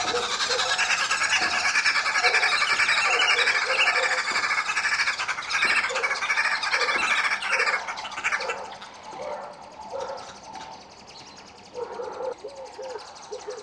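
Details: Red-billed wood hoopoes feeding their chicks give a dense, harsh chattering and squealing for about eight seconds, then thinner squeaky notes in short bursts.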